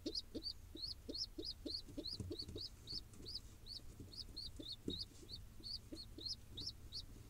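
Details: Hungry wild pigeon nestling in Israel being fed by its father, giving a continuous run of thin, high, upslurred squeaks several per second over faint lower pulses and a low hum.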